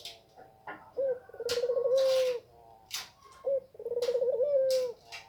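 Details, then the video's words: Spotted dove close to egg-laying cooing twice: each time a brief clipped note, then a long, vibrating, trilled coo that settles into a steady low tone. Sharp knocking and rustling sounds punctuate the gaps. "Burung tekukur puter mau bertelur"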